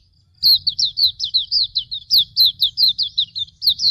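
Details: A training song from a Hume's white-eye: after a brief quiet start, a rapid chain of bright, high whistled notes, each falling in pitch, runs steadily for over three seconds over faint low hum.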